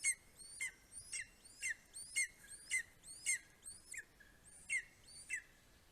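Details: Greater spotted eagle, Estonia, morning of 2 July 2020: a male bringing a vole, a bird and a vole to his four-week-old eaglet. Long series of shrill, slurred yelps, about eleven, repeated almost twice a second with slight irregularity.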